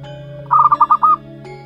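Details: Zebra dove chick one month old, local wild stock, gives a single short burst of five rapid throbbing coo notes, the last slightly longer, against a constant low droning background.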